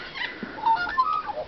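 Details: A pet Sulphur-crested Cockatoo at Halls Gap Lakeside Caravan Park, the Grampians, Victoria, watches for a cracker and gives a few soft, brief squeaks, thin whistled notes in quick succession, over quiet background hiss.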